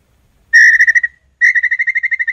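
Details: Red-legged tinamou singing two clear whistled phrases. Each begins with a strong note and breaks into a series of quick, pulsing repeats at the same pitch.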